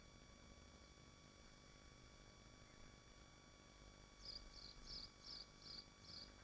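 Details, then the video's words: Swifts nesting in Machynlleth in the Dyfi Biosphere, Wales: after four quiet seconds, a quick run of about six brief, high, buzzy scream notes follows, over a faint background hum. "Machynlleth Nesting Swifts Live Stream - Biosffer Dyfi Biosphere Screams & Streams Project"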